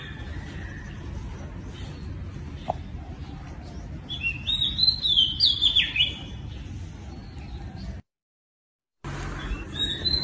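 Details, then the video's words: An Oriental magpie-robin sings a burst of varied, sweet whistled phrases, rising and falling over about two seconds, against a low background hum, then a brief gap. "เสียงนกกางเขน ร้องเพลงเพราะมากๆ"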